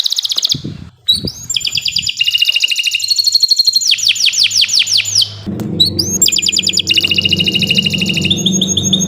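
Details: Kenari Nusantara canary singing nonstop 'gacor' song, offered as master training for birds that have gone quiet. Bright rapid trills alternate with series of down-slurred whistled notes and buzzy rolls. A low hum runs underneath in the second half.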